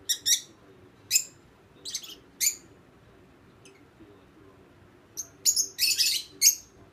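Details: Young pet lovebirds during a mating ritual, circling each other; scattered sharp, high chirps come singly and in quick clusters, with quiet gaps between.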